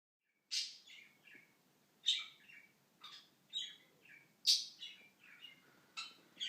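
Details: A bored, playful 4-year-old pet budgerigar in his cage gives sharp, bright chirps every second or two, calling his owner to come play; he settles once the owner approaches.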